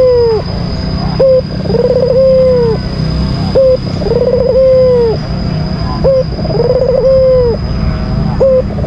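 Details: A caged albino Barbary dove sounds its rival-baiting call in steady repetition. Three phrases each pair a clipped lead note with a trilling coo that lingers and dips in pitch, above a constant high tone and low rumble.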